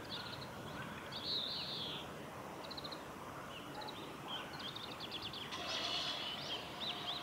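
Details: Japanese white-eye among cherry blossoms at Suga Shrine, filmed 23 February 2019; thin, high chirps and short rattled trills come in scattered bursts throughout, with steady outdoor background noise underneath.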